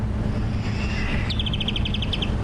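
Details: Grey-headed Kingfisher call, played as a comparison during a Sabi Sands safari drive in November, a fast run of about a dozen shrill, high notes that drop slightly in pitch, over a steady engine rumble.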